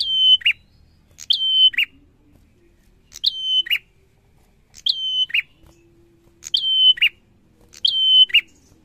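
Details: Bar-winged prinia singing: a sharp high note, then a level thin whistle, then a downward buzzy flick, the phrase repeated roughly every one to two seconds, six times, in a quiet setting.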